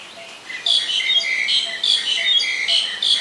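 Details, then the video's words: An Oriental magpie-robin, a very common resident, sings a rich, varied run of clear, high whistles and chirpy phrases in quick bursts of two or three a second; Ubon Ratchathani, Thailand, 17 November 2021. "นกกางเขนบ้าน Oriental Magpie Robin (singing)"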